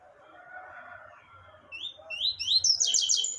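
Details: Double-collared seedeater (coleiro) singing in the tui-tui song style: a low murmuring background, then a fast series of bright, high, slurred whistled notes that rise and fall, growing denser and trilled toward the end.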